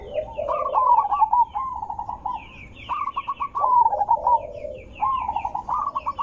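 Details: Zebra dove calling, used to lure wild zebra doves into answering: three bursts of quick staccato cooing notes mixed with a lower rolling trill, separated by short gaps.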